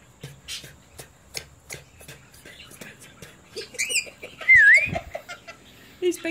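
A lorikeet gives a run of dry clicks and chattering notes, then a harsh squawk and a dipping, whistled note near the end; a voice may be mixed in.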